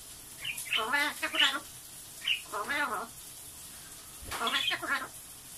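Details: A pet Blue-fronted amazon chattering in a human-like voice in the morning: three short spoken phrases, each a rapid string of syllables, separated by pauses, with faint hiss in the background.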